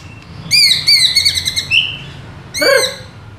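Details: Murai batu, the White-rumped shama, singing a provoking pancingan phrase for captive birds: a long steady whistle with a small rise, then a short pause and a sharp downward-sliding note, faint hum in the background.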